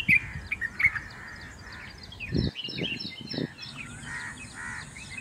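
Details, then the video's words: White-eared bulbul (Pycnonotus leucotis) in Mumbai sings short, bubbly whistled phrases at a mid-high pitch, with other small birds chirping and low rumbling background noise. "White eared bulbul song"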